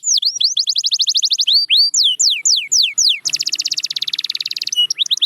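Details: Domestic canary song used to prompt quiet canaries to sing: high, rapid, sweeping whistled notes repeated in fast runs, then a dense buzzy trill and a few final downslurred whistles.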